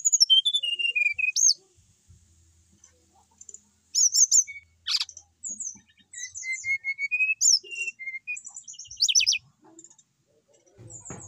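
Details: A brown-chested jungle flycatcher from Bali, kept as a settled cage bird and still in full song, delivers descending whistled notes, sharp high chips, and a steady run of repeated mid-pitched whistles, separated by short silences.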